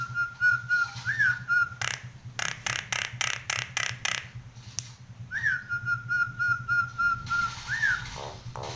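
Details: Nias hill myna in breeding condition, nodding its head, singing a teplekan-filled song: long steady whistles with short upward flicks, broken by bursts of sharp clapping noise repeated several times a second, over a low hum.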